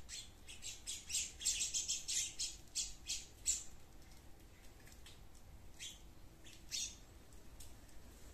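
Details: Sparrows in a garden give harsh, bright chirps in quick bursts of about three a second, then slower, scattered calls over a soft background hiss.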